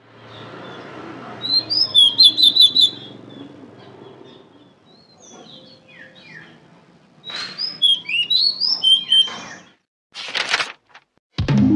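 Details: A Pied Bushchat, kept as a songbird in Indonesia, gives short bursts of high, sweet whistled and chirping notes in quick phrases with pauses between, with some clicks and a thump near the end.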